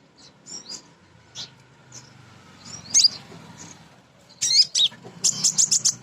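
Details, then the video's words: Female kolibri ninja sunbird, a nectar-eating bird, singing actively as a lure to draw song from other birds; high thin chirps and short twittering bursts, with a quick rapid trill near the end. "Kolibri Ninja BETINA Ngriwik Nyrecet"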